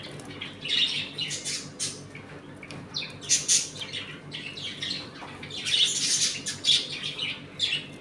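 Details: Several pet budgerigars in a home colony, eating and playing with some fighting; dense scratchy warbling and harsh squawks overlap in loud clusters, with short quieter pauses between.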